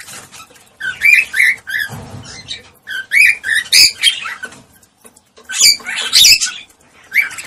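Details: Cockatiel sounds for stimulating breeding: clusters of sharp chirps and squawks in groups of three or four, with a quiet gap near the middle before a final loud burst.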